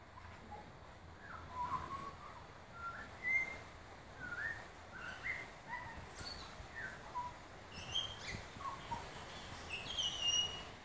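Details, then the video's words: Male butcherbird singing, apparently enjoying the acoustics and trying out new material: soft, scattered fluted whistles and short slurred notes spaced through the passage, set against a steady broad hiss of background noise. "Blessed by a Butcher Bird"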